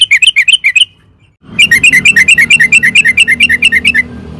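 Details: Vigorous song of a sooty-headed bulbul meant to stir other birds into answering. A short burst of chirps is followed after a brief gap by a long, rapid chain of bubbling, down-slurred notes.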